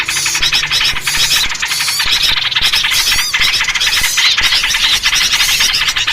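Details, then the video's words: Yellow-vented bulbuls in a noisy lure recording used for trapping birds: dense, overlapping chattering and squealing notes, rapid and harsh, with sharp whistled sweeps, forming a continuous busy chorus. "SUARA BURUNG RIBUT COCOK BUAT PIKAT || VERSI SUARA TRUCUK"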